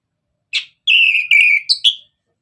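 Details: Orange-headed thrush singing energetically as a prompt for other birds: one short burry note, then a long, level, slightly falling whistle and two quick rising whistled notes, with no other sounds.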